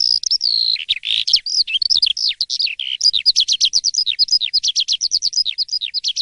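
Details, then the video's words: Morning song from an Asian pied starling (jalak suren): a few sustained whistles lead into a long, even series of quick downslurred chirps repeated nearly twice a second. "Kicau dipagi hari!! BEGINI JALAK suren yang gacor dan ngeplong di waktu pagi"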